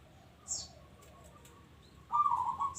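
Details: Local zebra dove: a high chirp from another bird early on, then the dove's rolling, trilled coo begins near the end, strong and wavering.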